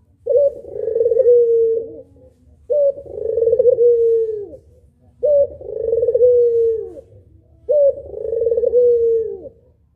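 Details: A Barbary dove (puter pelung) gives four long, low, rolling coos, each about a second and a half long, repeated every two and a half seconds against a quiet background.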